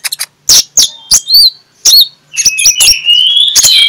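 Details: Oriental magpie-robin ngeplong song used as a morning lure for shy magpie-robins. Separate clicks and clear whistled notes lead into a sustained, slightly rising whistled phrase at the end.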